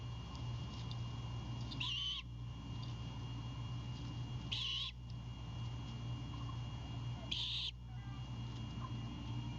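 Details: Great Horned Owl owlet defending a freshly delivered bird at its nest near Savannah, Georgia, on the night of 26 March 2022; three short rasping hisses, evenly spaced about 2.7 seconds apart, over a low background hum.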